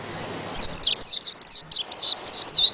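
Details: White-eye, known locally as pleci, singing a rapid, high-pitched warble of thin chirps and twittering slurred notes, sweeping up and down in quick bursts with brief gaps, after half a second of quiet background hiss.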